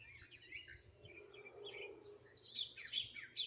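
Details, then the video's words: Wild birds chirping in Greenville, South Carolina, phone recording: thin high twittering notes, then a burst of sharp rapid chirps toward the end over faint background hum. "Bird Chirping Sounds"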